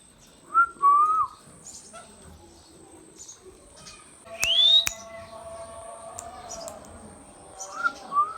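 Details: Pet Indian talking parrot (ringneck) alternating wavering mid-pitched whistled notes with one loud upward-sweeping squawk framed by sharp clicks, then more whistled notes near the end.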